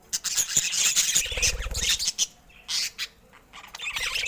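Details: A budgerigar squawks in a quick, harsh volley with bright high chirps and a low rumble behind. This is followed by quieter gaps and a few separate screechy notes.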